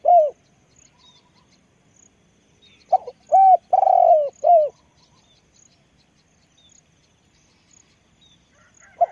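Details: Spotted dove used as a decoy bird, giving a low hoarse cooing phrase: a short note, a bent coo, a long rolling croo and a falling final coo, heard once clearly after a brief opening coo, with quiet surroundings.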